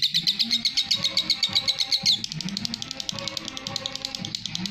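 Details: Lovebird ngekek, a long chatter used as masteran: sharp clicking high notes in a quick series for two seconds, then a softer, denser buzzy trill continuing, with low murmuring sounds underneath.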